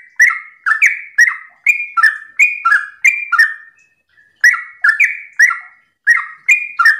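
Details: A morning ropel song from a yellow-vented bulbul, used to coax other bulbuls into song. Quick series of rich, descending, bubbly whistles roughly every half second, broken by one short pause midway.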